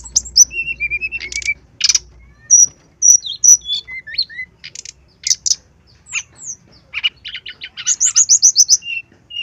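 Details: Brown-chested jungle flycatcher tutor song, said to be from a bird in breeding condition and agitated: a long varied medley of sliding whistles, short buzzy bursts, downslurred notes and a closing series of about seven rapid high chirps.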